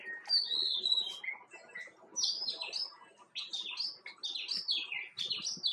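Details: Himalayan or white-cheeked bulbul chattering in bright, slurred, falling whistles. A few phrases come first, then a short pause near the middle, then a faster tumbling run of notes.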